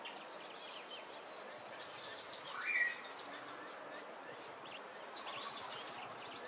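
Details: A Southern Double-collared Sunbird in a garden in the Eastern Cape, South Africa, gives high, thin, rapid twittering notes in fast buzzy runs, with a brief lower slurred note midway, over faint background hiss.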